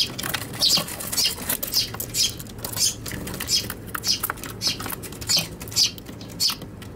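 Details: Eurasian tree sparrows in a scuffle at a box on a balcony on Tanabata 2021, recorded on an RX100M5A; steady stream of high chirps about twice a second with scratchy pattering.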